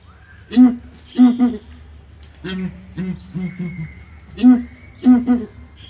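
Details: Several Southern ground hornbills in a small zoo cage at ARTIS call in chorus, giving low resonant booms grouped in twos and threes, repeated every second or two, with a thin whistled tone drifting in the background.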